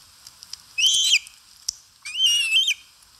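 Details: Osprey at the nest while eating, Satakunta, Finland, 4 August 2022, live nest camera; two loud whistled calls about a second apart, each a level, slightly wavering note that drops at the end, with faint clicks.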